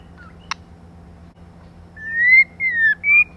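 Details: Female white-rumped shama, a recording used to stimulate males, gives one short whistled phrase: a long rising note, then two falling slurred notes, after a single sharp click and a quiet pause.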